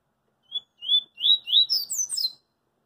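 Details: Coringa-style song of a double-collared seedeater heard in the street. A brief clear note leads into three upward-slurred whistles, then quick, high, falling notes tumbling to the end of a phrase of about two seconds. No other sounds intrude.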